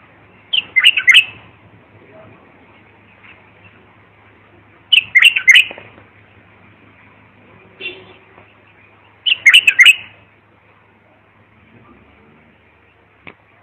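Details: Bulbul tutoring song: three warbled phrases spaced about four seconds apart, with a faint softer note between them, over a low steady background hum.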